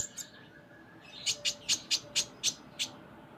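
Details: Konin, a sunbird in 'gacor' song: a faint opening note, then seven sharp, high chirps spaced roughly a quarter second apart, each slightly buzzy.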